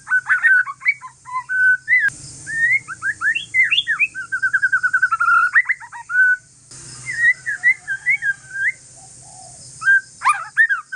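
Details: Relaxed song of a white-rumped shama from the Aceh forest line, sung to prompt other shamas to reply: varied whistled phrases, quick slurred notes and a rapid rolling trill, with pauses, faint low hum and background hiss.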